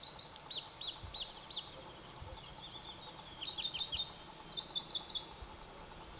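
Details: Song of Pallas's leaf warbler, Khovsgol Aimag, northern Mongolia, July: very high thin chirps, then quick stuttering trills and a fast run of repeated notes near the end, over steady low hiss.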